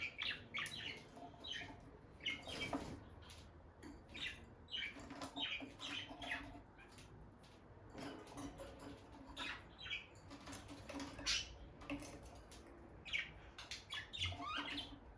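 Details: Peach-faced lovebird couple, a bonded pair staying close near the nest box, natural daily routine; scattered sharp high chirps and short scratchy notes in irregular bursts, soft patter and movement noises between them.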